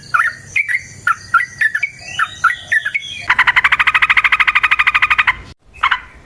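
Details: Yellow-vented bulbul used as a singing lure, with a fighting-style long trill: a series of scratchy chirps, then a steady buzzy rattle lasting about two seconds, and a final short burst.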